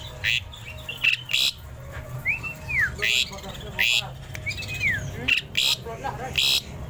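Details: Tame Asian pied starling in full, lively song: loud harsh squawking bursts alternate with clear arched whistles that rise then fall, repeated at irregular intervals over a low background hum.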